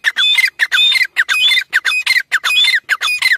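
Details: Chukar giving loud, fast, repeated phrases: harsh, broad chattering bursts, each topped with a thin whistled note. The phrases come nearly twice per second with short silences between them.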